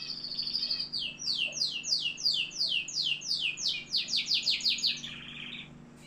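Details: Canary from Algeria delivering a fast series of sharp, descending high notes, repeated about three times a second, ending in a brief buzzy trill; a faint low hum runs underneath.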